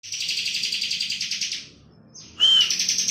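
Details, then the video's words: Bar-winged prinia, locally ciblek kristal, singing vigorously in full ngebren style: a long buzzy rattling trill of rapid even pulses fading out, a short pause, then a clear arched whistle launching another fast buzzing trill. "ciblek kristal gacor full ngebren"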